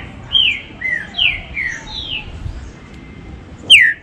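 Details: Warm-up 'baruc' song of a green-winged saltator for captive birds: several moderately loud whistled notes fall in pitch, a pause follows, then one sharp, bright descending note ends the phrase.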